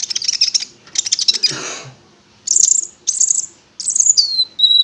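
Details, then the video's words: Prinia (konin) song used as a lure to make the bird sing: long buzzy high trills in bursts, a noisy sweep midway, and a clean falling whistle at the close. "Pancingan Konin Agar Bunyi"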